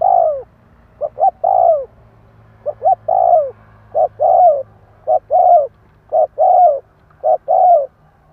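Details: Spotted dove song meant to rouse wild doves into answering: a steady run of mid-pitched coos, with paired short notes leading into longer descending coos, about one phrase per second over a quiet background.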